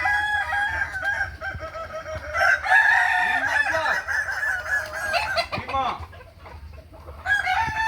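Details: Kukuak Balenggek roosters crowing at a training contest in Ampang Kualo, Kota Solok, May 2024; long, stepped, harmonic crows overlap one another, rising and falling in wavering tiers over a steady low rumble.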